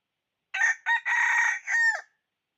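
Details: Red junglefowl decoy rooster crowing to attract wild birds for trapping, 6/1/2021. Two brief rasping syllables, then a drawn-out buzzy phrase, ending in a drooping final note, with a clean silent background.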